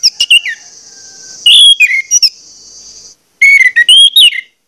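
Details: Orange-headed thrush singing a forceful lure song meant to trigger other birds of its kind to sing: clear, slurred whistles with sharp high notes, accompanied by a steady high-pitched hum during the first three seconds.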